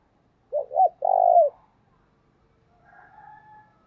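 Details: Spotted dove giving a call meant to stimulate wild doves, thổ voice style: two quick low downward-curving coos, then one longer rolling coo, followed by a faint hoarse layered sound.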